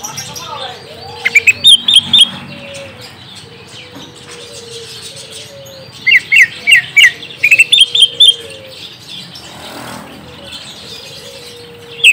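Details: Green leafbird lure song for prompting a young untrained bird to answer: scattered bursts of quick, sharp chirps and twitters separated by pauses, over a soft, steady background hum.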